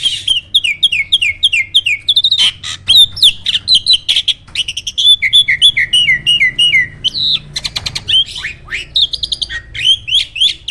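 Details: Loud, fast song from a caged contest starling, opening with a string of repeated downslurred whistles and moving into dense chattering, clicking and swooping phrases without a break.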